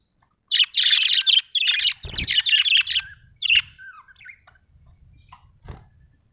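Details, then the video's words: Happy budgerigar chirping: a loud, rapid stream of buzzy, scratchy notes for about two and a half seconds, then scattered softer chirps and a low knock. "happy budgie chirping sound"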